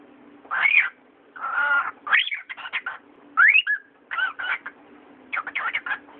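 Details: Pet cockatiel talking: a run of short, voice-like syllables and chattering bursts, one sharply rising whistled sweep near the middle, grouped in quick phrases with pauses between, over a faint steady low hum.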